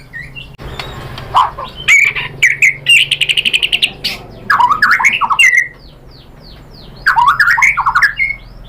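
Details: White-rumped shama song used as a lure to provoke other birds into answering: varied loud whistled phrases, quick buzzy trills and rapid repeated high ticks, with short pauses between bursts.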